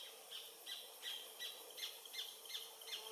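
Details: Adult Paradise Jacamar (Galbula dea dea), sex undetermined, singing near the Comte (Oyak) river in French Guiana at 11:00 on 8 November 2023, filmed with a Panasonic FZ300: a steady series of high, sharp notes, about three per second, over faint forest hiss.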